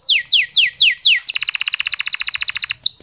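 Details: Local canary singing to get other canaries going: five slow sweeping downward whistles, followed by a very fast bright trill of rapidly repeated notes and a final pair of falling whistles.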